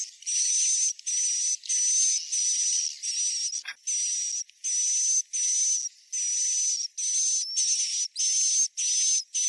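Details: Swiftlet roosting call, played to lure swiftlets into a new, empty or slow-to-fill bird house: a run of buzzy, hissing chirps about half a second each, with a thin steady whistle inside. They repeat with brief gaps, and one short click comes near the middle.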